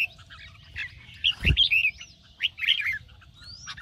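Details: Competition-trained Red-whiskered bulbul singing in the morning, 'ché' style: quick chirpy warbled notes and a long upward whistle at the end, interrupted by one dull thud midway.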